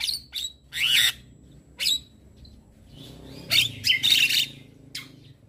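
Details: Javan myna (jalak kebo) in morning song for training other birds: scattered loud, scratchy squawks and short chirps separated by pauses, with a grouped burst of harsh notes near the end.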